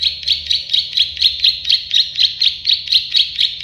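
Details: Plain prinia, known locally as prenjak sawah or klik-klik bird, in a tutoring recording for songbirds: a steady run of buzzy, clicking high notes repeated about twice per second throughout, with faint low hum beneath.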